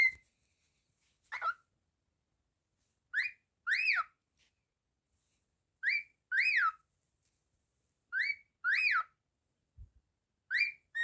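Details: Pet cockatiel indoors whistling short rising-and-falling phrases in pairs, repeated every two to three seconds with silence between, clear and tonal; a person's voice follows.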